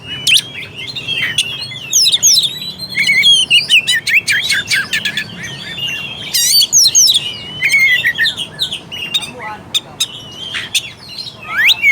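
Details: Kacer song used to make a reluctant Oriental magpie-robin sing and fight: dense varied phrases of curling whistles, rough buzzy notes and rapid chip series, ending with a rising whistled sweep.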